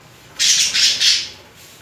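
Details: A pair of budgerigars mating and courting with romantic movements; three loud, grating, noisy squawks follow each other in quick succession within about a second, then quiet.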